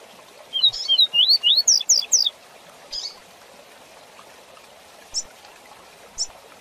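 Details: Fast tui tui zel zel song of a rusty-collared seedeater meant for teaching young birds: a rapid run of slurred whistles sweeping up and down, roughly a dozen notes, then brief sharp chips against a low background hiss.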